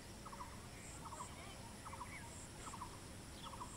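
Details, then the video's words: Bronze-winged jacana, locally called jol pipi, roaming and feeding. It gives short, stuttering clusters of rapid notes, repeated roughly every three-quarters of a second. Faint high chirps and a steady background hiss are also heard. "BRONZE WINGED JACANA (জল পিপি) | SOUND"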